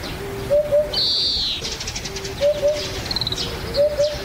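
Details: Eurasian Hoopoe, a rare vagrant at the foot of Yatsugatake, Japan, giving soft, low hollow hoots in short paired bursts that recur roughly every one and a half seconds. A higher drawn-out whistle and thin chirps from other birds sound over them.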